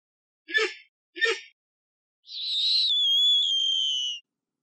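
Snowy owl giving two harsh, raspy barks followed by a long, high whistle that slides gently downward.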